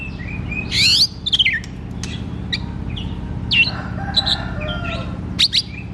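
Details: Kacer, the oriental magpie-robin, singing openly to coax quiet kacer into singing: a loud buzzy rising burst, then scattered short whistles and chips with brief gaps, and a droning hum underneath.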